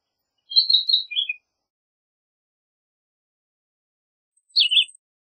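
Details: Philadelphia vireo singing: two short phrases of clear, slurred whistled notes, the first a quick descending run lasting about a second, the second a brief dropping burst near the end; silence between, no other sounds.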